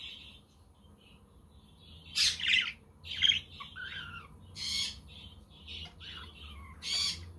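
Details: Budgies on a sunny, windy day, with a quaker parrot and a conure audible: quiet opening, then bursts of raspy squawks and warbled chirps spaced about a second apart.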